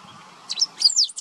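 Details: Single song phrase of a great pampa-finch in Uruguayan wetlands of the Maldonado river estuary, September 2022; a quick run of high, piercing, slurred squeaks ending in a short clipped note.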